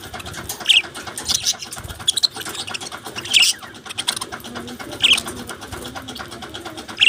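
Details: Budgerigars with a steady scratchy chatter underneath, punctuated by short sharp chirps standing out about every one and a half to two seconds.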